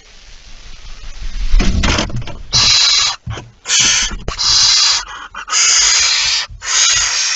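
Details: Barn owl at a nest with prey, recorded after midnight on 23 September 2019; scuffling and low bumps, then a series of five rough, hissing screeches of varying length with brief gaps between them.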